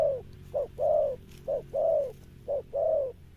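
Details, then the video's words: Spotted dove, wild-caught, in a close recording of deep Sấm Thổ style coos. A short clipped note is followed by a longer, fuller one, and the pair repeats three times. "Gù Âm Sấm Thổ"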